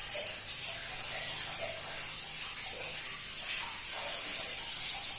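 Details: Crimson-breasted flowerpecker calling in very high, thin chirps at an uneven rate near ninety per minute, some notes sliding downward, with a denser flurry toward the end.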